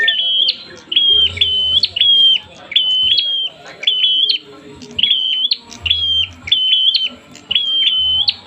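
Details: Excited prinia, worked up for a fight, repeats a high level whistle with a sharp rising tick at the end, roughly once a second, in steady bursts over faint low hum.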